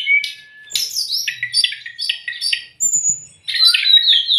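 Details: Shama tutor song for birds in training or under stress: choppy bursts of buzzy chirps and quick whistles, broken by two short pauses, with faint low knocks in the background.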